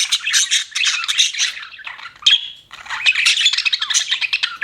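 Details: Several pet budgerigars chatter nonstop in a dense, scratchy warble of rapid chirps. A short pause holds one thin whistled note before the busy twittering resumes.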